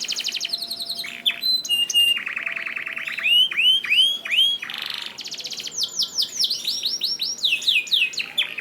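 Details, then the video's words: Varied canary song used as a masteran to prompt silent canaries into singing: a mid-pitched rapid trill, curved sweeping whistles, a dense high buzz, then quick falling swoops. "MASTERAN KENARI GACOR AUTO RESPON UNTUK KENARI ANDA YANG SUSAH GACOR #42 || VOICE OF CANARY"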